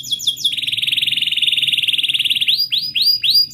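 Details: Canary singing long rolling song to prompt a silent canary to sing: brief high notes open a sustained rapid buzzy trill, then a series of rising swept whistles repeated about three times a second.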